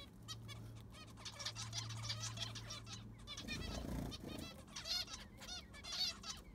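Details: Zebra finches kept in an aviary call while it is cleaned and the sand replaced; repeated nasal beeps and buzzy chirps from several birds, a steady low hum early on and a dull scraping thud midway.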